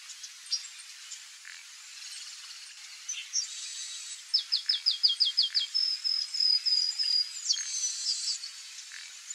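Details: A chestnut-capped blackbird (Chrysomus ruficapillus), recorded in a marsh, sings a rapid series of about ten sharp, descending notes, then a thin, drawn-out buzzy whistle, with other faint bird chips behind.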